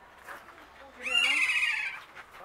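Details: Kea, a captive parrot at Zlín Zoo in the Czech Republic. It gives one loud, harsh, drawn-out cry with strong harmonics, about a second long, over soft background chatter. The species is named for its typical 'kee-aaa' call.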